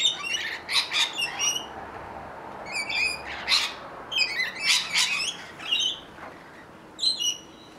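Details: Rainbow lorikeets feeding on fruit trees in Australia, a flock giving rapid, grating screeches and chattering squawks in dense overlapping bursts, pausing briefly before starting again.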